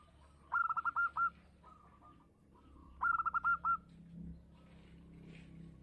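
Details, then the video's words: Local zebra dove, prized for frequent singing and a loud voice, gives two phrases of fast, clipped cooing about two and a half seconds apart, with softer distant coos and low background rumble between. "perkutut lokal gacor suara besar"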